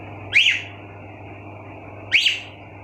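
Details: Indoor pet cockatiels: a pair of short, arched chirps, sweet and high, roughly two seconds apart, with a low steady hum in the background.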